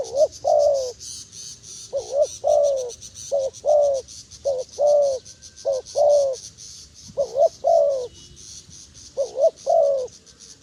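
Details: Wild dove giving repeated cooing phrases, pairs of short wavering coos then a drawn-out falling note, roughly every one and a half seconds, over a continuous shrill insect drone.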